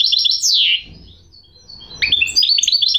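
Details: Goldfinch hybrid (mule) song opening with a loud downslurred whistle and quick twitter, then a quiet pause before a fresh run of sharp, high chirps.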